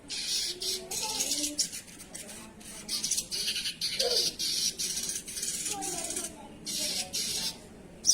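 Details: Sogon singing actively (gacor), with harsh, rasping high bursts repeated in quick succession throughout, some short and some longer, separated by brief pauses.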